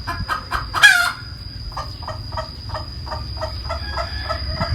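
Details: A hen gives one loud harsh squawk, then a long series of evenly spaced short clucks, with a thin steady high tone behind.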